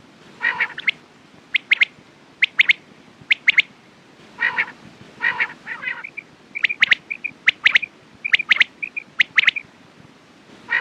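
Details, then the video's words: Quails alternate low, rough harmonic calls with bright clipped notes in doublets and triplets. Short soft whistled pips appear in the second half, with roughly one call per second. "Quails sound best sounds use morning and night time mast awaz saaf awaz"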